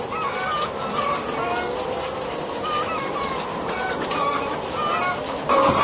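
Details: Caged laying hens on a French egg farm in February 2012, many birds calling at once in overlapping, wavering, nasal squawks and drawn-out tonal notes over a constant barn hum.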